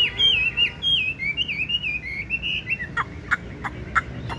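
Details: Chinese hwamei, tame and caged, yellow legs and yellow bill, delivers wavering, looping whistled phrases for nearly three seconds, after which spaced sharp clicks are heard.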